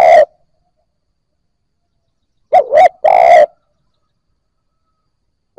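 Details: Spotted dove coo for stimulating newly caught birds: the tail of one coo, then a full phrase of two quick dipping notes and a longer steady low note, otherwise quiet.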